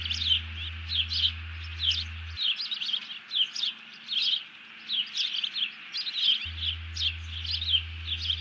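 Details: Bald eagle giving alerting calls after grabbing a fish, while its mate ducks low, recorded 31 July 2020: rapid series of high, thin chittering notes, several per second, with brief pauses mid-sequence.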